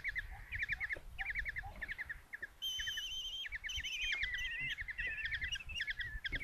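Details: Five common kestrel chicks in a nest box at Tiszalök, Hungary, on 27 June 2024, begging as their mother brings a mouse for breakfast: rapid, shrill, chittering notes repeated in quick bursts, with one higher, thin whining call rising over the chorus.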